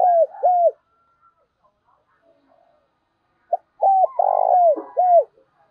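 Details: Decoy spotted dove luring wild doves, giọng thổ voice. Two hooked coos end one phrase. After a quiet gap a fresh phrase follows: short note, hooked coo, long vibrating coo, falling final coo.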